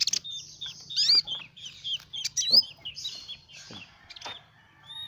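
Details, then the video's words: Sunbird song used as a lure for small birds: scattered high, thin chirps and quick upward-sweeping whistles, irregularly spaced, with a faint low hum underneath. "Suara burung Kolibri Ninja"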